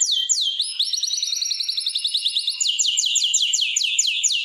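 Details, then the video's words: In a canary breeding room prepared for pairing, a swooping whistle opens onto an even, rapid trill under a thin high tone, then gives way to loud, repeated falling sweeps. "جولة في غرفة طيور الكناري مع تغريد روعة"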